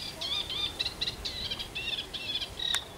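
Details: Eurasian reed warbler song from a London wetland centre, a brisk churring sequence of clipped, scratchy notes and brief whistles delivered in rapid succession, with a sharp click near the end.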